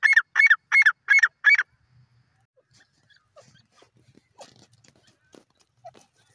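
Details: Grey francolin, known locally as dakhni teetar, giving five loud, harsh, rasping notes in a fast, even series over about one and a half seconds, followed by faint clicks and rustling.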